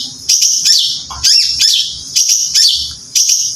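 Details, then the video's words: Competition songbird kept in a cage gives crisp, very high whistled chirps in short repeated bursts roughly once a second, with near silence between phrases. "Peaceful Bird Chirping Sounds"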